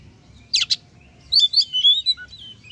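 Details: Oriental magpie-robin singing in open ngeplong style, meant to provoke other magpie-robins into singing: two sharp high chips, then a run of sweet whistled notes sliding and wavering, ending in a lower short whistle.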